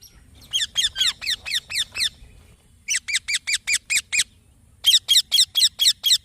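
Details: Green baby parrot chirping: three bursts of rapid, high, squeaky chirps, about six to eight notes each, sharply repeated several times a second, separated by short pauses; quiet low rumble underneath.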